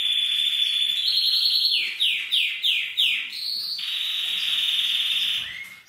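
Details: Male canary singing to stimulate mating in the female: a high ringing trill, then five downward-sweeping whistles in a row, a lower long trill, and a short rising note at the end.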